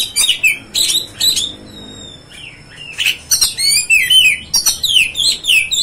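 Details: Provoking song of a kacer (Oriental magpie-robin): harsh high bursts, a lull with a thin sustained whistle, then a lively string of sweet falling and rising whistled notes.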